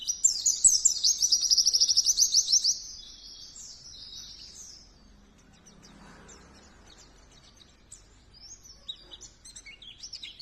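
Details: Oriental white-eye, called pleci, singing vigorously: a fast, high twittering burst of rapid trilled notes for nearly three seconds, then quieter scattered chirps after a long pause.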